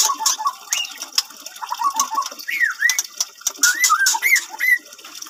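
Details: White-rumped shama, F1 crossed with Medan lineage, bred in captivity at a Bungo bird farm, giving a run of quick whistled notes and upward-sweeping slurred phrases, interspersed with sharp broadband clicks and some background noise.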